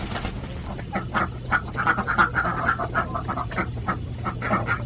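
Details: Farmed Alabio ducks, a Bornean breed kept in Central Java, quack in a steady jumble of short, nasal calls, roughly three a second, over a low background hum.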